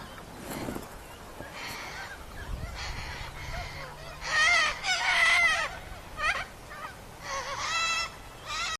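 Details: White Sulphur-crested cockatoos calling repeatedly, with raspy screeches and wavering harmonic squawks that grow louder midway, overlapping in irregular bursts, over a low rumbling background.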